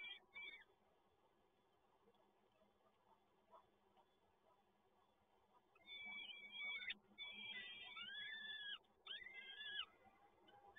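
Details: Peregrine falcon chicks at the Toruń nest on 30 April 2022 are fed. A short cry is followed by a long quiet spell, then a run of loud, rasping, wavering begging screeches over background hiss.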